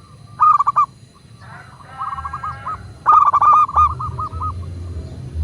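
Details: Local zebra dove song used as a master recording to get other doves singing: two loud rattling phrases of staccato coos, with a fainter second voice answering in between over low rumbling noise.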